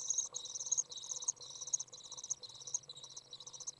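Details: Young Common Swifts out of the nest on a very warm 30 °C day, 27 June 2011, as a parent comes in to feed them: high, buzzy, rasping trills in bursts of about half a second, separated by brief gaps.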